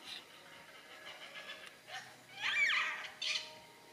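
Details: Yellow-tailed black cockatoos feeding on bottlebrush and banksia flowers in Tasmania, Australia, give two short, harsh, rasping screeches late on, over softer scratchy calls and a faint background hiss.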